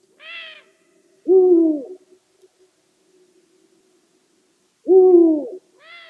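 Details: Eurasian eagle-owl hooting: two deep, falling hoots about three and a half seconds apart, framed by brief, higher, harmonically rich calls at the start and end; quiet background.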